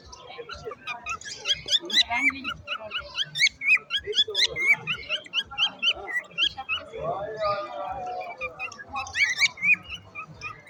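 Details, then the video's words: Parrot singing strange sounds: long busy stream of squeaky whistles, clicks and raspy chatter, with a harsher burst midway and quick curling notes repeating throughout. "A strange bird, a parrot singing, a strange sound"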